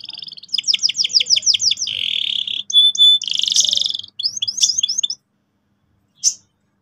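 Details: Gacor canary singing as a lure recording for young canaries to start rolling: fast repeated rising-falling high chirps, a buzzy trill, pure whistled notes and further chirp runs, then silence with one last short note.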